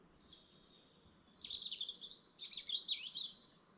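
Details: Dawn chorus beside a lake in the Lake District National Park, early morning: bright, high warbled phrases and quick twittering trills from several songbirds, with short sweeping notes and soft low background rumble.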